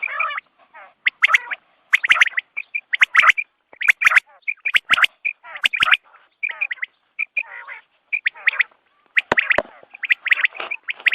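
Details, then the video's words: Morning quail sounds for hunting: rapid, rasping chatter and bright clipped chirps pour out almost without pause, with bursts of overlapping voices that suggest several birds calling together. "batair ki awaz subha k liye"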